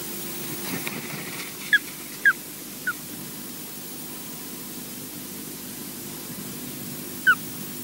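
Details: An osprey at the Loch Garten nest in Scotland, during incubation after afternoon intrusions (14:30–17:00), gives short, clear, downslurred whistles: three in quick succession, then a pause and one more, over a low steady rumble of wind.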